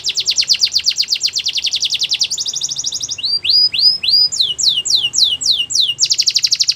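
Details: Belgian canary song meant for training young canaries: fast trills of rapid high notes, then a run of sweeping upward-curving whistles, ending in a dense buzzy trill.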